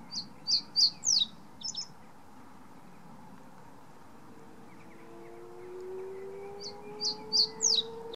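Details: Common reed bunting (Emberiza schoeniclus) song at Bocking, Essex: two short phrases of three or four high chirping notes ending in a quick flourish, with a low rising siren-like hum in the background.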